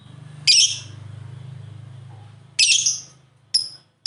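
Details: Two pet lovebirds playing together give two harsh, shrill chirp bursts about two seconds apart, then a brief thin squeak, over a steady low electrical hum.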